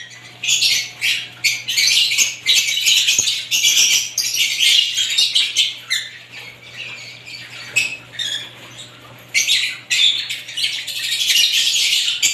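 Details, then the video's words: Assorted lovebirds chatter in irregular bursts of harsh, high squeaks and chirps, with quieter spells in between and a constant low electrical hum beneath the flock. "ibat ibang klasing uri ng love birds sarap nilang pakinggan habang na humuhuni"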